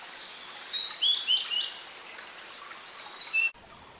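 Thin, high sweet notes in a quick run of short slurred phrases, then a longer falling whistle before it cuts off; light background hiss.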